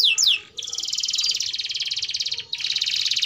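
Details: Singing canary used as a tutor for young canaries learning their song: two brief falling whistles open, then a long, even, buzzy rolled trill, a short pause, and the trill again.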